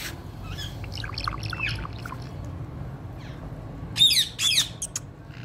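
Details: Pet Indian ringneck parrot kept as a talking bird, in conversation with its owner: scattered short chirps and harsh notes, then two loud rasping squawks near the end over a low background hum.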